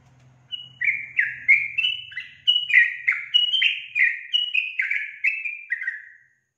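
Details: A female Yellow-vented Bulbul gives a lively run of bubbly, down-slurred notes, about three per second, with a faint low hum at the start; her song is said to prompt males to answer.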